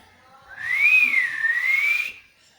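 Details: Parrot imitating a cat's meow as one long clear whistle, about a second and a half, that rises, dips gently and rises again before stopping.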